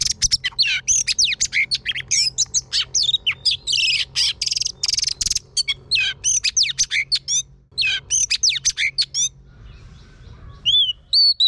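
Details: Singing female Oriental magpie-robin, kept to spur a male to sing, pours out a long, dense stream of rapid sweeping whistles, buzzy notes and sharp chirps for about nine seconds, ending in a few isolated upslurred whistles.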